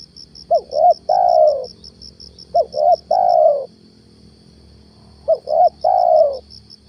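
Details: Captive lure spotted dove calling in the morning to bring down a wild stammering dove; three coo phrases about every two and a half seconds, each two brief notes then a drawn-out coo, with steady high-pitched pulsing behind.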